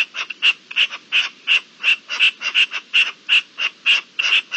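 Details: Rutting-season partridge recorded 27 April 2021: loud, hoarse, creaking notes in a quick, slightly irregular series, close to three per second, each with a scratchy grating quality.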